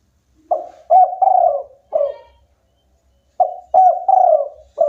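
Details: Spotted dove, a local bird in vigorous song, repeating its phrase twice: short coo, longer coo, drawn-out warbling coo and a falling end note, with about a second of silence between phrases.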